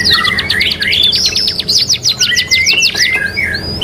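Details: Singing canary (kenari) on a training recording: a rapid train of falling notes with a steady lower whistle beneath, then a few drawn-out rising and falling whistles.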